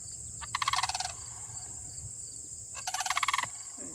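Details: Rolling, trilled rattles from a pair of Sandhill Cranes calling to each other, two strong bursts about two seconds apart, over a steady high droning hum.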